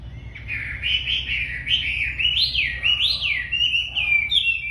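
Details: Wambi, described as very tame and in full song, giving a continuous rolling warble of rising and falling whistled phrases, clear and sustained for the whole stretch, over a faint low hum.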